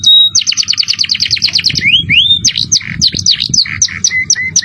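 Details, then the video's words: Singing canary on a tutor recording, jerih voice in lavish cengkok phrasing; opens with a steady whistle, then a fast string of repeated sharp notes, upward-sliding whistles and quick chirping runs. "Masteran kenary cengkok mewah suara jerih"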